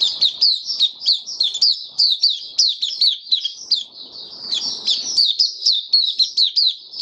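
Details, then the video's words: White-eye kept by a hobbyist, fed for warm humid weather, March 2022, in open song: continuous high-pitched twittering, rapid slurred chirps strung together without a break, with faint soft noise in the background partway through. "Mata Puteh Kitaro Video 1 buka sing"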